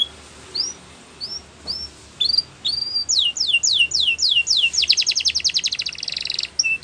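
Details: Canary song for training young birds: spaced upward-curving whistles that speed into a rapid run of slurred notes, then a fast dense trill, with brief whistles at the end.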